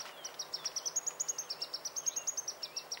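Green-tailed Sunbird giving a rapid run of very high, thin, sharp notes, about seven a second, with faint twittering of other birds behind.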